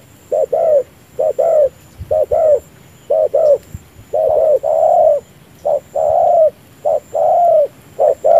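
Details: Decoy spotted dove used to lure wild doves into a ground-bait trap, cooing with its chest lowered: low, rounded coos delivered in short paired and grouped bursts, some notes drawn out longer, repeating steadily across the recording with faint rural background.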